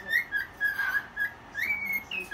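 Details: Pet cockatiel singing at one in the morning while dancing: clear whistled phrases, some rising and some level, in quick bursts with short gaps, indoors with a quiet background.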